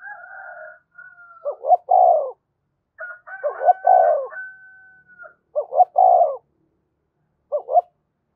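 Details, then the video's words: Spotted dove uttering provoking and calling coos, each a couple of quick notes then a long low coo, repeated four times, overlapped by a loud higher drawn-out crowing sound from another bird. "tiếng cu gáy thúc và gáy gọi"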